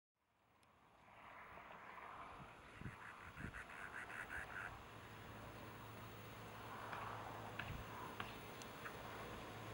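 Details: A cactus wren in a back yard on 21 July 2011 gives a harsh, rapid chugging series of about ten raspy notes. A low background hum and scattered faint chirps run underneath.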